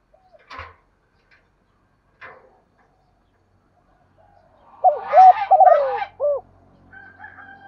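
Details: Morning call of a female spotted dove, aimed at stirring males to coo. Scattered clicks and a hissy rustle precede a single phrase of mellow coos with a falling drawn note, partly masked by the noise, with a faint hum afterward.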